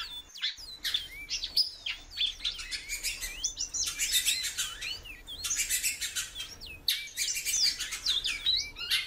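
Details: Female great-billed seed-finch in captivity calling a lot: short whistled, slurred notes sweeping up and down, dense and repeated, mixed with loud broadband rustling bursts.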